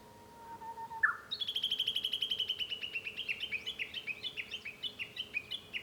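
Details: Japanese bush warbler heard from a room at home on 5 May 2013: a long, steady low whistle, an abrupt upward flourish, then a fast rattle of repeated notes that slowly drops in pitch and loosens in rhythm.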